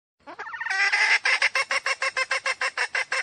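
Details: Junglefowl hen used as a trapping decoy to draw wild cocks: a rising nasal note swells into a loud squawk, followed by evenly spaced, rapid clucking cackles about three per second.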